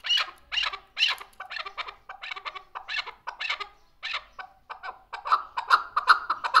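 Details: Hunting chukar partridge, June 18, 2023, calling in irregular harsh cackling notes of varying loudness, then settling into a steadier, faster rhythm of chuk-chuk notes in the final seconds; indoors with no other sounds.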